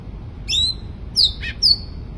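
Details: Sooty-headed bulbul giving a short, lively phrase of three whistled notes: an upward-sliding first note followed by two quick falling slurs.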